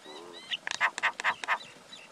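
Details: Male and female common myna calling: soft wavering whistles lead into a run of four loud, harsh, buzzy chattering notes spaced about a quarter second apart, ending with a faint whistle.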